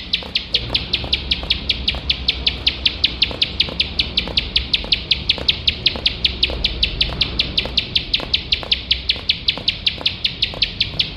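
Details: Bar-winged prinia in vigorous competition-training song, rapid-fire 'nembak' style: a long even run of piercing high chips, around five each second, continuing unbroken over soft low rumble.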